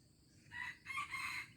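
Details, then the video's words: Aceh junglefowl, 25 April 2020, crowing at a distance: a raspy crow of rising then sustained syllables, set against constant high insect buzzing and low background noise. "Ayam Hutan Aceh"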